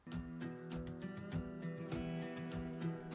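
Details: Plucked acoustic guitar music with strummed chords throughout, no animal sound.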